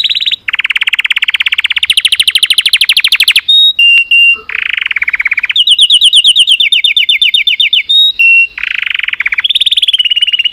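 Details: Continuous canary song of long buzzy trills linked by brief whistles, alternating between lower rolling tours and higher rapid rattles with hardly a break throughout.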